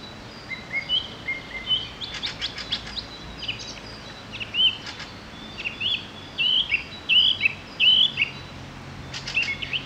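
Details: Two European goldfinches feeding on nuts and seeds in grass give short, bright, twittering chirp calls at irregular intervals, about 85 a minute. Some calls come in quick pairs or triplets, with a brief burst of clicking ticks early on against a quiet outdoor background.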